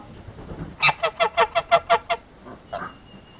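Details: Wild goose letting out a quick series of eight loud, harsh, evenly spaced honks, then softer trailing calls and a faint thin whistle-like tone.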